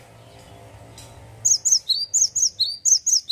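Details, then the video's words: Cinereous tit male in lively ngeplonk song: after a quiet start, a fast run of about nine ringing whistled notes, swinging between a high pitch and a slightly lower, falling one. "GELATIK BATU JANTAN LAGI ONFIRE...GACOR NGEPLONK"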